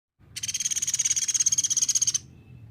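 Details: Sunda pygmy woodpecker used as a training model for songbirds, giving one high, dry, buzzy trill of fast even pulses, about sixteen per second, lasting nearly two seconds before stopping abruptly; quiet low background hum.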